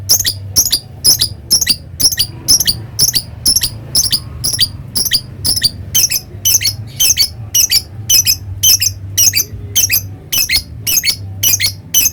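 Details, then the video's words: Kept lovebird singing a long ngekek chatter: sharp, piercing, scratchy high squeaks repeated roughly twice a second without pause across twelve seconds, slightly uneven in spacing, over a soft low hum. "Suara Love bird Bikin Emosi Lawan ngetik lanjut ngekek"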